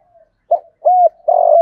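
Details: A spotted dove decoy coos in the morning to lure wild doves. It gives a short note, a level hoot, and the start of a long buzzy coo. The phrase is cut off.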